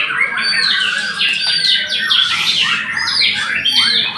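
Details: Bright, high, fast song of a white-rumped shama: cascading whistled slurs and sharp chips, densely packed and sustained to the end.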